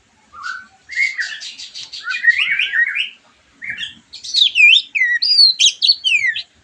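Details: Song of a white-rumped shama, played to stir a bird after its moult: rich rising and falling whistles, a rapid buzzy chatter early on, then high sharp slurred notes in quick bursts.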